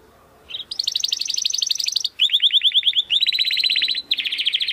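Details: Domestic canary (kenari) song for training competition birds: loud, continuous rolling trills, each a fast string of repeated notes, shifting between higher and lower tours, with crisp short chips near the end.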